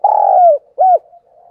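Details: Spotted dove lure call for the morning, used to call decoy and wild doves: one long low hooting coo sliding down at the end, then a short arched coo, in quiet surroundings.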